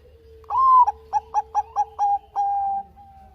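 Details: Singing Bangkok zebra dove: a sustained arched whistle opens the phrase, followed by five evenly spaced short hooting notes and a long falling tone that fades out, with a faint low hum beneath.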